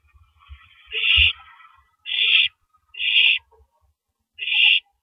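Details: Owl at 3:33 AM on 9 April 2012 on a live camera, shredding a large rabbit before swallowing it. Four rough, hissing shrieks, the first trailing off into a fainter rasp, over light rustling.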